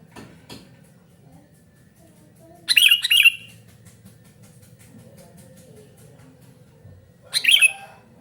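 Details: Noisy sooty-headed bulbul calling, a harsh double chatter followed after a long quiet pause by another rasping burst, with faint clicks and low hum in between.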